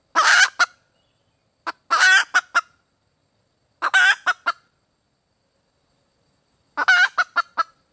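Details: A female red junglefowl calls for a mate in four clear bouts, each a loud raspy squawk followed by two or three short clucks, with quiet spells between bouts.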